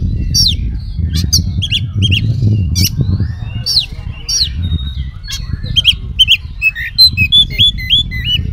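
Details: Continuously singing Oriental magpie-robin, its song stuffed with imitated phrases, played to provoke other magpie-robins into replying: sharp downslurred whistles repeated about once a second, then quick warbled notes, over constant low background hum.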